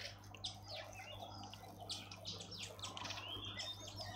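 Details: At a garden bird bath in Pretoria, South Africa, a Dark-capped bulbul while bathing: sharp sliding chirps in uneven bursts, with one thin whistled upward note at the close.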